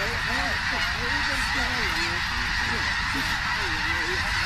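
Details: Snow geese by the tens of thousands coming down at Richmond, British Columbia, Canada, 21 October 2005; loud overlapping honks, several sharp curved yelps near the front, all over an unbroken roar of the crowd.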